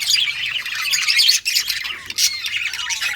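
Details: Budgies in a breeding colony cage make harsh, scratchy squawks and quick chirps, crowded overlapping chatter that dips briefly before resuming.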